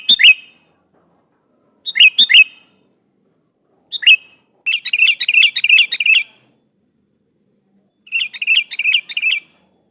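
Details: A sooty-headed bulbul challenges a rival with lively song: short chirpy phrases at first, then longer runs of rapid bubbling notes repeated in quick succession, clean with silent pauses.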